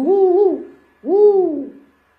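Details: Pet owl singing along with its caretaker: two drawn-out, mellow hoots, each about half a second long and slightly wavering in pitch, spaced roughly a second apart.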